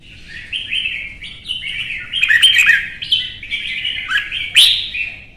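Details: Red-whiskered Bulbul, caged, in a heated singing contest, pouring out a near-continuous chain of bright warbling whistles that slide up and down, with a low background hum.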